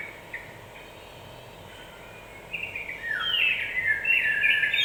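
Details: Yellow-vented bulbul song for provoking other birds: near silence at first, then a lively, bubbling phrase bursts in halfway through and keeps rising in brightness to the end.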